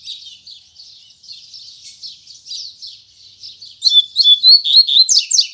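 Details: Double-collared seedeater, called coleiro, singing the Tui Tui Zel Zel style in the morning: soft rapid high twitter building into a loud run of clear whistled notes and sharp, buzzy downward strokes.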